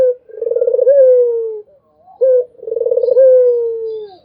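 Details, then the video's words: Two melodious cooing phrases of a Barbary dove, each a rolling, vibrating purr that settles into a long, gently sinking tone, separated by a short higher note. "SUARA ANGGUNGAN BURUNG PUTER !! GACOR TIADA HENTI ll SUARA BURUNG PUTER MERDU"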